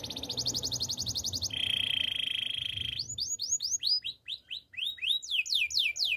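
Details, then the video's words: Training song of a Spanish timbrado canary: a high pulsed trill shifts into a lower, steady buzzing roll. It then breaks into a fast run of loud curving whistles, each rising then dropping. "Canary singing for training - Spanish timbrado song"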